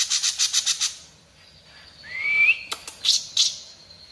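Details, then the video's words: Bulbul in active song: a burst of quick high chirps, then a clear rising whistle and a few sharp high notes with short clicks. "Cucak Cungko gacor"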